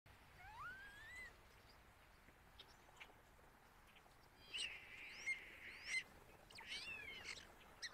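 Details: Starling, male, singing and mimicking other species: a rising whistled slur, then a sustained buzzy note with sharp clicks, followed by scratchy descending whistles, set against quiet outdoor background.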